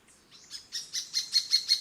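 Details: Uniform Treehunter: a brief series of soft, high chirps that grow louder, seven notes spaced evenly about a sixth of a second apart.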